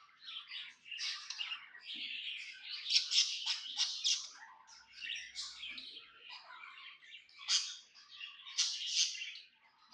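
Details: Happy pet budgerigar kept as a tame bird, giving continuous busy warbling chatter: dense overlapping chirps, squeaks and short scratchy notes, with sharper bright peaks near three, seven and nine seconds; no other sounds.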